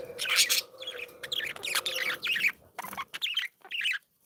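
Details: Playful, happy budgerigars kept as pets giving rapid warbling chatter, a mix of squeaky chirps, buzzy notes and clicks in close bursts that thin into separate short phrases toward the end.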